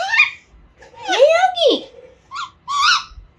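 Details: A two-and-a-half-month-old Alexandrine parakeet learning to talk gives a loud arching squawk and short harsh notes, with a person talking to the young bird indoors.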